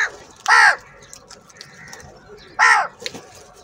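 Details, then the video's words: Crows in a big group fighting over food: two loud rasping caws two seconds apart, with fainter calls and clicks between them. "Crow Bird Unity Anger And Sounds | Large Number Of Crows Ki Natural Awaaz And Fight For Food"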